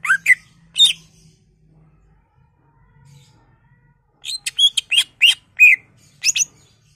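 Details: Greater green leafbird imitation-laden song used as a lure for other leafbirds: a few rising whistles, a quiet gap with low hum, then a fast burst of high chirps and upslurred whistles.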